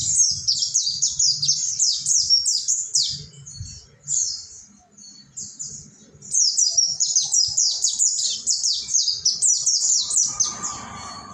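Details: Pleci monty, the mountain white-eye, giving ngalas tutor song for training caged birds. Dense bursts of shrill falling chirps are split by a softer, sparse pause around four to six seconds, then a second long burst, with a hiss near the end.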